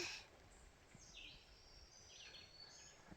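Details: Red-eyed vireo (Vireo olivaceus) singing short, slurred, high phrases with brief pauses, faint over a soft woodland hush, in forest along a hiking trail on Camel's Hump, Duxbury, Vermont, on the last day of June.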